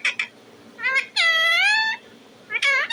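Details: Pet talking parrot producing two brief squawks, then a drawn-out nasal, wavering whine lasting almost a second, followed by another short harsh note.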